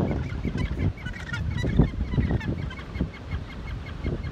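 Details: Many gannets calling together at Hawke's Bay, New Zealand: rough, croaking low notes in irregular bursts, one louder grating call near the middle, and faint higher chirps scattered above the din.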